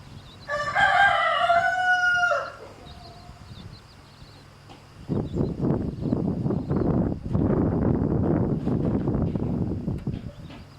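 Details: Chicken with a mother hen and chicks being harassed by a rooster: a loud, harmonic crow holds for about two seconds, followed by busy rustling, scratching and scuffling sounds.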